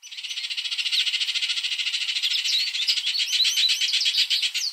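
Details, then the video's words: Baltimore oriole visiting a backyard feeder for grape jelly, giving a long dry chattering rattle of rapid buzzy pulses that runs steadily for several seconds, with a few sharper notes near the end. "Baltimore Oriole Bird Call and Sounds"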